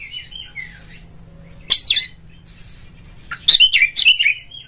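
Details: Oriental magpie-robin, 'ngeplong' and 'ngobra' style, used to get other magpie-robins singing: soft scattered notes, a sudden loud harsh note, quiet, then a short rich burst of twisting whistles.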